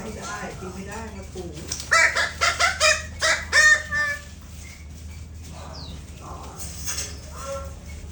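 Greater bird-of-paradise giving a loud burst of about six harsh, nasal notes in quick succession, with fainter calls and a thin whistle behind.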